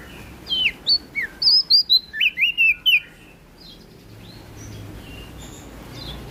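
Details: Melodious prinia song from NTB: a tight burst of about ten bright, slurred whistles lasting some two and a half seconds, followed by quiet background.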